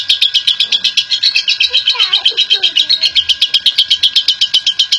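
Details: Long ngekek chatter from a national champion lovebird, played as a lure for other lovebirds to sing. Rapid high rattling chips run without pause, with faint lower twittering notes underneath midway.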